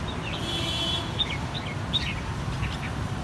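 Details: Three red-whiskered bulbuls from the same brood, cheeks turning from white to red in one season, share a clear bell-like song: short, bright whistled notes and chirps, one drawn-out clear tone, then scattered bubbly phrases over a low steady rumble.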